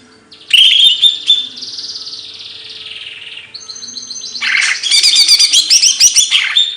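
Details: A bird sings an upslurred whistle and a long hissing note, then breaks into rapid, dense chattering.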